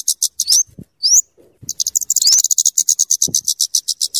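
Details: A scarlet-headed flowerpecker (kemade or cabe cabean) singing actively, used as a lure and tutor bird. Two rising squeaks lead into a long, very rapid series of high ticks, with a few soft low thumps.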